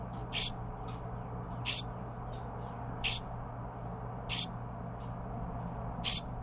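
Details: Carolina wren youngster fed by its parents: five harsh, hissy high bursts repeated about every 1.4 seconds, with a few soft faint notes in between and a steady low hum.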